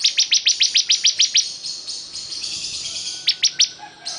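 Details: Bar-winged prinia singing very actively: a rapid run of about nine sharp, high, clicking notes, a short pause, then a few more quick notes.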